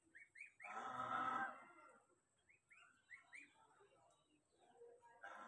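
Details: Young ducklings calling out in search of their mother give quick arched peeps in bursts, interrupted early by a loud, low, rough sound lasting about a second.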